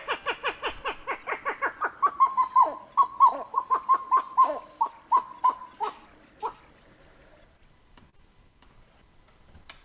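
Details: Pied-billed grebe (Podilymbus podiceps) gives a song-like vocalization: a rapid run of hollow, clucking notes, then a slower series of longer, mournful cow-cow notes that trail off after about six seconds.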